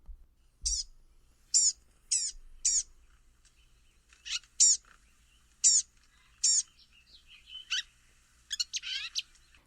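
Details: Blue-gray Gnatcatcher giving its high-pitched call, thin, very high, downslurred notes in quick clusters of two to four, about a dozen in ten seconds, against a quiet background, at a wildlife preserve in Cedar Hill, Texas.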